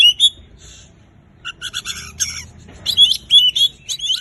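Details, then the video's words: Oriental magpie-robin singing to prompt a mute bird into song: clear slurred whistles and dense chattering chirps in quick bursts, with low background hum. "Kacer gacor terbaru paling ampuh untuk mengatasi Kacer bisu cepat bunyi"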